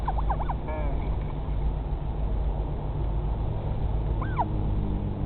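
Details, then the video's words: At the Pukekura/Taiaroa Head colony near Dunedin, New Zealand, a northern royal albatross chick on the nest in 2017 gives quick bent squeaky notes and a short slurred call, later one arched squeal, over constant low rumbling hum. "Chick making noises"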